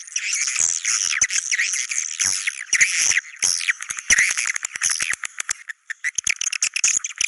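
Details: Swiftlets in the style named China cave: shrill, scratchy twittering chirps that become a fast run of clicks toward the end.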